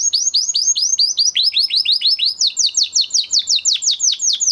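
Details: Canary singing after its moulting period: fast series of loud downward-sweeping notes repeated about three times a second, switching midway to a higher, sharper trill of similar sweeping notes.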